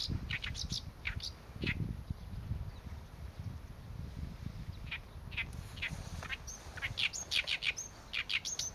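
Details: Oriental reed warbler singing: harsh, grating chattering notes in loud irregular bursts, quickening toward the end, over a steady low rumble.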